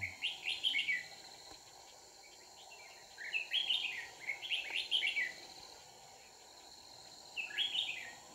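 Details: Red-whiskered bulbul serving as a trapping decoy, delivering short, lively, chirping song phrases in four separated bursts, with a steady hum of insects behind.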